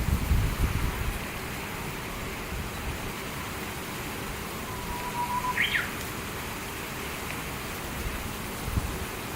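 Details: Japanese bush warbler in satoyama countryside, one of two birds said to be calling back and forth: a steady low whistle held about a second, then a quick rising flourish of sharp notes, faint under heavy rumbling background noise.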